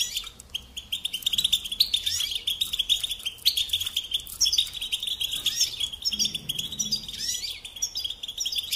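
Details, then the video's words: Tutor song from a European goldfinch for young songbirds: sustained high twittering with buzzy, rattling passages and occasional downward-slurred notes, broken by brief lulls. "Teaching Singing Lessons Through Goldfinch Motives"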